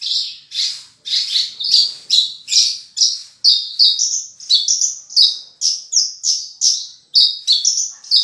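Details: Horsfield's bush lark in constant gacor singing, full isian: a brisk series of bright chirps and short rising slurs, delivered in quick clusters with barely a gap.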